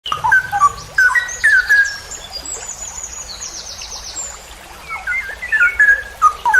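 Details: Straw-headed bulbul (cucak rowo) giving a ropel panjang style song, recorded as a masteran tutor track: loud, rich warbled whistles that slide and bubble, in bursts at the start and end, with thin high trills behind.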